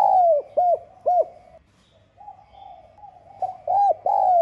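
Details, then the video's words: Spotted dove, 'giọng son' voice, giving a provoking call coo aimed at rival males. It ends one phrase with three rounded coos. After a short gap, soft murmurs lead into the loud opening notes of the next phrase. "Tiếng Cu Gáy GIỌNG SON [ GÁY GỌI - THÚC ]"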